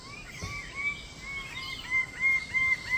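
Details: Cendrawasih, the lesser bird-of-paradise of Papua, repeats loud, slurred, ringing notes about three times a second, each with a fainter lower double, over a soft constant hiss.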